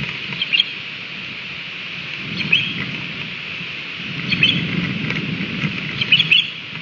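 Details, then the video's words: Osprey pair at a nest in Latvia, 13 June 2020, giving alarm calls: short, high, sharp chirped whistles in brief clusters roughly every two seconds, over steady low rumbling background noise. "Osprey - Alarm"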